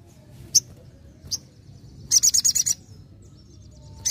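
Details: Sogon singing vigorously in a wild-sounding nembak style: isolated sharp high chips, then a quick burst of about seven bright, rapid notes, and another lone chip at the end, with quiet pauses between.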